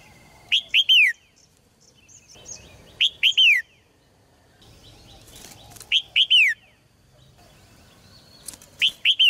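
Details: Caged red-whiskered bulbul sings to rouse males into loud song: four short phrases of three ringing, descending whistled notes, about every three seconds, with soft clicks and rustling between phrases.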